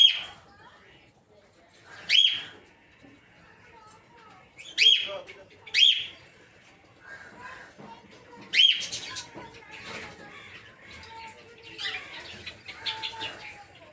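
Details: Peach-faced lovebirds in a breeding aviary, including Red-Headed Green Opaline, Red-Faced Dark Green, Blue Rosy and Lutino birds, give sharp, high, arched shrieks roughly every one to three seconds over soft background chatter.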